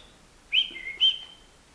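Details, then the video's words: Indoors in a living room, a nine-month-old European goldfinch utters two clear, high whistled notes, each trailing into a lower drawn-out tone, against near silence. "chardonneret libre dans mon salon"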